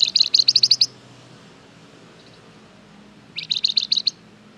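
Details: Flamboyan bird in vigorous song, played as a lure so other birds answer: two bursts of quick, high, ringing chip notes, each burst under a second, separated by a quiet pause of over two seconds.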